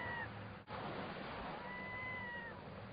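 Black scoter giving two drawn-out, plaintive whistled notes, the second near a second long, held level then dropping slightly, over steady rushing wind or surf.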